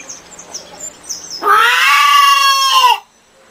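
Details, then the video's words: Chicken giving faint chirps and clucks, then one loud drawn-out harmonic squawk of about a second and a half that falls away at the end. "SOM DE GALINHAS 🐔 - CACAREJANDO"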